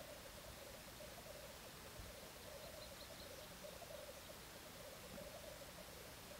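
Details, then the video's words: Courtship display of black grouse recorded in 2014: a faint, continuous bubbling warble held at one low pitch for the whole stretch, over a steady background hiss. "Parade tétras lyre 2014"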